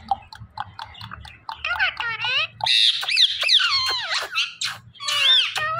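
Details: Pet talking parrot speaking, with a run of short voice-like syllables followed by louder squawky phrases that swoop up and down in pitch, in a small room.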